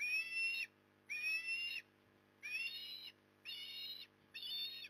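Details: Osprey calling at its nest in Port Lincoln, Australia, one September 2020 afternoon as a large fish arrives; five loud, strained whistling squeals, each about half a second long, come about a second apart over a faint constant drone.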